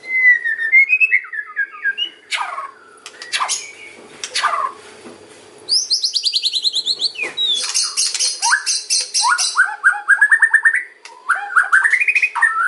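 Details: White-rumped shama singing to attract other birds: whistled slurs, sharp clicks, then long fast trills of repeated buzzy notes and rising whistles.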